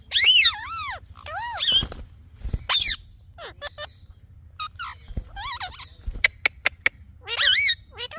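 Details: Chirping from a talking parrot: scattered looping whistled calls and sharp clicks, with brief thumps and pauses between bursts, over a low background hum.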